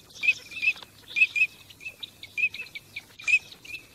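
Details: Teal during migration: bright clipped whistled notes, singly or in pairs, spaced unevenly over a few seconds from several overlapping birds.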